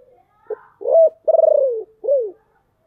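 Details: Spotted dove used as a decoy to lure wild birds, with a deep voice: a brief low note, an arched coo, a long throaty pulsing coo sinking in pitch, then a final rising-falling coo.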